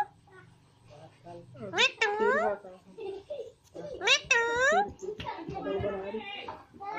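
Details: Pet green Alexandrine parakeets, a talkative pair, chattering indoors in speech-like phrases with bright gliding syllables and a short babbling stretch at the close.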